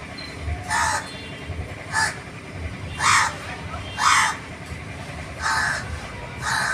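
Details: Crow calling excitedly with six coarse, harsh caws spread about a second apart, some doubled, over a low rumbling background with faint other noise.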